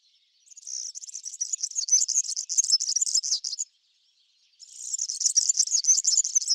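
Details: European serin at a backyard seed patch of Brassica oleracea, giving two rapid, shimmering high trills, each about three seconds of dense jangling notes, separated by a second of silence.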